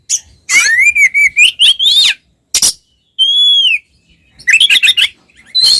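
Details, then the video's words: Fighting song of an oriental magpie-robin meant to provoke other males: a long wavering whistle over rapid chips, then a loud buzzy burst, a clear arched whistle, and fast chattering notes. "SUARA BURUNG kacer gacor NGEPLONG TARUNG konslet paling AMPUH buat PANCINGAN KACER agar EMOSI"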